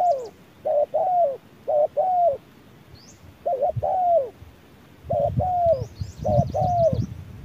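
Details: Spotted dove dueling with an electronic decoy bird in harsh midday sun: a rhythmic series of mellow, hooting coos, grouped in twos and threes with brief pauses between, plus faint high chirps from other small birds and some low rumble.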